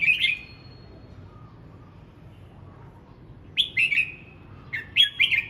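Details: In morning voice practice, a red-whiskered bulbul gives a rich whistled phrase, pauses for three seconds, then delivers two lively warbling phrases of rolling, slurred notes close together.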